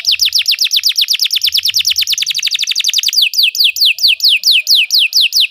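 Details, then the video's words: Belgian canary singing, used for training other canaries to sing: rapid series of loud descending whistled notes, about five per second, slowing into wider-spaced sweeping notes after three seconds. "Belgian canary singing makes your canary sing"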